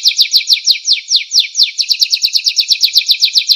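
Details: Canary song used to train other songbirds: sweeping downward whistles at first, briefly spaced, then quickening into a rapid, even trill of short notes.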